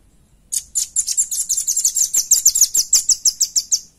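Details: Velvet-fronted nuthatch song, recorded cleanly for use as a lure and as a tutor for other birds: a dense, rapid trill of thin, high chipping notes, about six per second, sustained for over three seconds.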